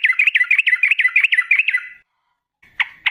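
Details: Yellow-vented bulbul in a quick rolling trill used as a lure: about sixteen rapid, liquid, bouncing notes in under two seconds, then silence and two sharp chirps.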